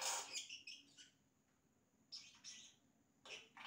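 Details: Imitations sung by a yellow-rumped cacique: loud, varied notes open the song, followed by a quiet gap and two more bursts of scratchy, squeaky notes, with a faint steady high tone throughout.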